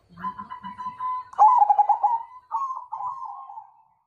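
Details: Majapahit-type zebra dove challenging to fight, giving a steady mid-pitched coo followed by a quick run of bubbling, trilled coo notes. Two shorter falling rolls close the phrase, with faint low murmurs underneath at the start.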